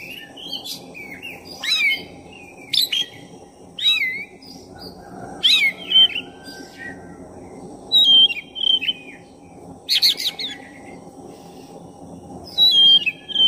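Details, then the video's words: Black-breasted oriental magpie-robin, lure song used to rouse another bird's aggression. High, varied whistled phrases with sharp upslurs and downslurs, about a dozen bursts spaced one to two seconds apart, over a constant low background hum. "Pancingan suara kacer dada hitam gacor efektif buat menaikkan emosi Kacer"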